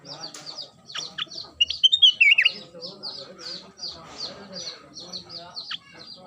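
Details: Ruby-throated Bulbul, locally kutilang emas, singing hard during its everyday song: a fluty rising-then-falling warble midway, surrounded by quick repeated high twitters.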